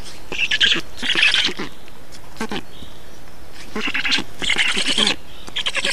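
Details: Black storks being fed in Estonia, 2 June 2019: separate bursts of hoarse, chattering calls, two early and two later, broken by a near-silent gap in the middle.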